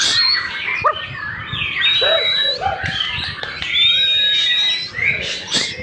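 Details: Jembrang (white-rumped shama) kept for breeding, singing a dense, varied stream of whistled notes, sharp chips and thin high tones, with bursts of chatter over a busy background and faint voices.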